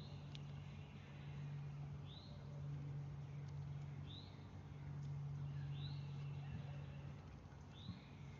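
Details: Northern cardinal singing near backyard feeders set against woods and a creek below the North Georgia Mountains; four faint down-slurred whistles spaced nearly two seconds apart, with a constant low droning hum throughout.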